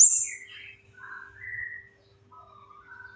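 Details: Chestnut-capped thrush singing, a lure recording meant to set quiet birds singing: a sharp high note opens a run of gentle warbled phrases that fall and rise, fading into soft trills.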